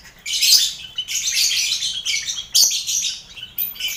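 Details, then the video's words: Lovebird colony, housed together with finches and quail and being trained for competition, gives dense, rasping high chatter in three long, noisy bursts with short breaks, over a quiet low background hum. "Sound Koloni Lovebird"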